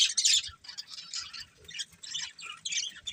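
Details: Budgerigar breeding pair, short bursts of harsh, buzzy high chatter in quick pulses, with brief quieter gaps.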